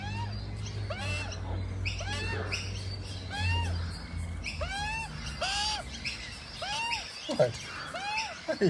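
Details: A juvenile Australian magpie named Cheeky, from a resident family that visits a front yard daily, gives repeated arched, squeaky whistled calls about once a second while its parents eat lunch; the owner says it is hungry; a person talks over a low hum.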